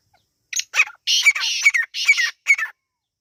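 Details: Partridge chicks, locally called Irani teetar, giving loud, harsh, rasping bursts in quick succession, several rapid notes run together with brief gaps, on a quiet background.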